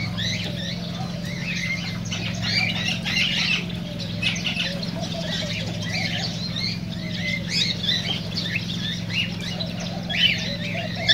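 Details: Cockatiel chatter meant to prompt mating and singing: dense, continuous chirping and short whistles from several birds, steady low hum underneath.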